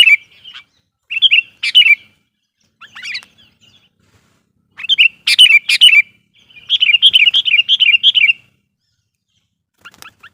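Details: Sooty-headed bulbul lure song meant to attract wild bulbuls: scattered bubbly phrases of chirpy, rolling notes, then a longer run of rapid, evenly repeated warbling notes before a pause and a few faint chips at the end.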